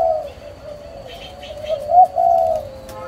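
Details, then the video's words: Parent spotted doves (chim cu), recorded 11 June 2023, give a soft low coo that swells into a stronger two-part hoot near the end, over a faint constant high whine and light background chirps. "CHIM 🐦 CU BỐ MẸ ÂM CÒI SỐ 11"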